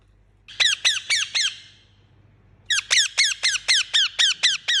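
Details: Indian ringneck parakeet kept as a pet: a burst of five shrill descending screeches, a pause of over a second, then a longer run of about ten, evenly paced.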